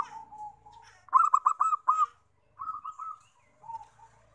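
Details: Zebra dove song used for luring wild doves: a soft low coo, then a rapid burst of five clear bubbling notes, a quieter group of four, and a final soft coo.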